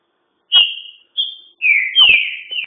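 Green-winged saltator singing loud, clear whistled phrases: a sharp high note, a short pause, then a longer rich warbled run, all within about two seconds.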